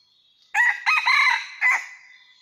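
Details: Wild red junglefowl of rocky mountain country, recorded while trapping on 17 March 2019, gives one loud, harsh crow in about three broken parts lasting roughly a second, with faint high bird notes before and after.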